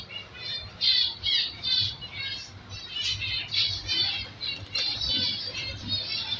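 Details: Undersized aviary zebra finch chicks, five hatched from one breeding pair, give harsh, raspy, high-pitched begging calls in quick overlapping bursts; zebra finch.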